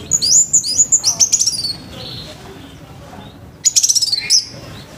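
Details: Orange-headed thrush giving a harsh morning song meant to get other thrushes singing: a fast string of very high, sharp notes, a quiet gap, then another quick high rattling burst ending in a slurred note.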